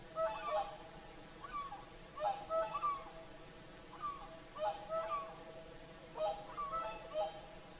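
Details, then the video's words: Several whooper swans call back and forth at sunset by Lake Saimaa, Finland: frequent, overlapping trumpeting notes in twos and threes, steady and resonant, with barely a pause between bursts. "Swans singing at sunset"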